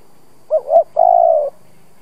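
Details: Old lure spotted dove singing to trigger cooing in other doves. Two quick rising-falling hoots run together, then a pause and a long, sustained, faintly pulsing coo tapering off, with nothing else heard.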